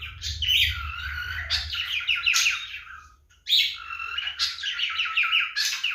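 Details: A male cockatiel's mating call: quick cascades of falling, chattering whistles sung in two long bursts separated by a short pause, with a faint low hum in the background.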